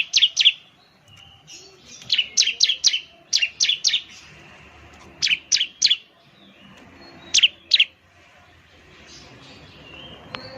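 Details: Lure recording of a Ciblek: clusters of two to four sharp, high chirps spaced by short pauses, with soft thin whistles between groups and quiet background.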